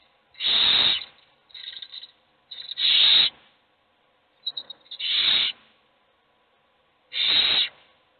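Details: Several hungry owl chicks beg in a nest box while only one eats: loud hissed screeches alternate with softer, shorter rasps and quick clicking squeaks, suggesting more than one chick calling.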